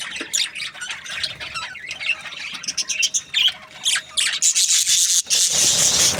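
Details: Pet Australian budgies chattering: scratchy, rasping squawks and quick high chirps tumbling together, rising to a continuous hissy, buzzy chatter near the end.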